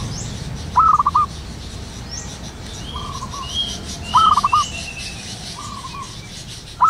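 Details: Zebra dove, a local bird in the wild, calling in the morning: quick bursts of four or five bubbly upslurred notes repeated every three to four seconds, over a background of soft level whistles and faint high chirps from other birds.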